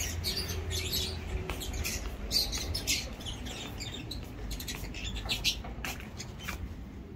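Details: Lovebirds kept in a breeding cage setup during a very hot month, giving a dense stream of sharp, high chirps and tweets that overlap and repeat rapidly over a steady low hum and background noise.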